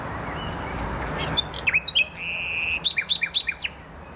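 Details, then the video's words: Singing nightingale recorded in the botanical garden of Poznań, Poland: varied phrase with slurred notes, a short level whistle, then a quick series of sharp descending chips. "Wyjątkowy śpiew słowika."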